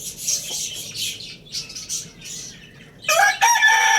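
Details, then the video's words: Market rooster, tagged as a Lohmann Brown, at Lalukhet bird market; small birds twitter in quick high bursts for three seconds before a loud, rich, rasping crow breaks out and carries through the final second. "Amazing Roosters Crowing Sound Effect"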